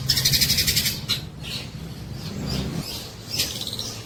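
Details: Long-tailed shrike song with tengkek buto kingfisher mimicry: a one-second fast rattle of bright high notes, then a few spaced sharp chips and squeaks over a noticeable low hum.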